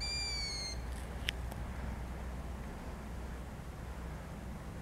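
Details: A Long-eared owl at Lama Balice gives one high, thin, drawn-out squeak lasting under a second, followed by a couple of faint clicks over steady low rumbling background noise.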